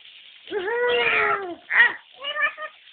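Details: Lory mimicking a baby's cry, recorded on an Android phone: a long, wavering, harmonic wail lasting about a second, then two shorter, sharper cry-like bursts in quick succession.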